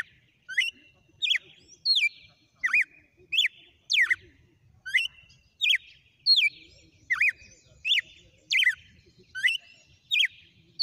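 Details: Red-cowled cardinal, a kept bird, singing a long sequence: loud, clear whistled phrases that sweep down and then up, repeated about every second, with faint buzzy notes trailing between phrases.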